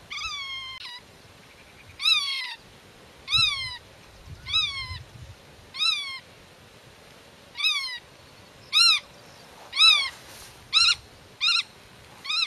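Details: Nest-defending black-tailed godwit, calling to chicks concealed in grass and driving intruders from its territory. About ten nasal calls: early ones drawn-out and drooping, later ones short, sharp and arched, coming faster toward the end.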